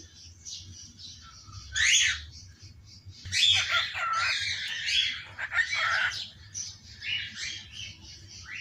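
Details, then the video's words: A pet parrot at home calls out "mother" in the morning in a still-hoarse voice. It makes loud, raspy, high squawking phrases in several bursts over a quiet background. "ใจฟูลูกชายเรียกแมแม่จ๋า.. เช้าๆเสียงยังแหบๆ"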